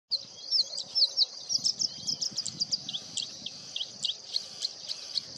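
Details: Singing bushlark singing melodiously in fields at the break of dawn, Sonkhaliya, Ajmer, Rajasthan, India, September 2024: a rapid series of high, sharp chirps and short trilled notes, with a steady insect hum throughout.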